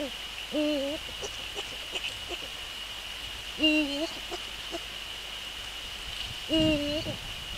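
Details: On a January 2014 evening a male Eurasian eagle-owl works on the nest ahead of nest inspection, giving clipped nasal calls that jump upward and level off, three in sequence about three seconds apart, amid small clicks and a constant high hum.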